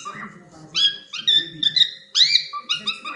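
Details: Playing cockatiel makes a few soft low chirps, then louder ringing, harmonic squawks, one long rising screech near the end, and a faint murmur below.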